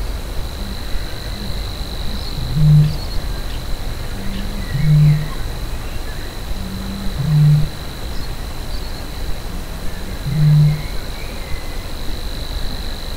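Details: Savi's warbler reeling from a bush at least 200 metres away at RSPB Minsmere in May 2017: a thin, even, high buzzing reel runs unbroken throughout. Loud low rumbling noise and deep hollow pulses every two to three seconds dominate.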